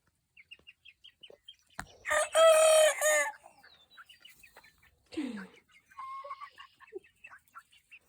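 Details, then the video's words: Young rooster learning to crow gives one short, loud, hoarse, harmonic crow of about a second, flat then breaking off. Soft high peeps repeat steadily before and after it, and a brief falling squawk follows. "Young rooster learning to crow"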